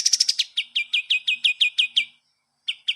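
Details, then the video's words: Pied triller (kapas tembak) singing for cage-bird master training: a quick high buzzy flurry, then a steady run of about ten clear repeated chips, a pause, and two more chips. "masteran burung kapas tembak bagus buat masteran burung"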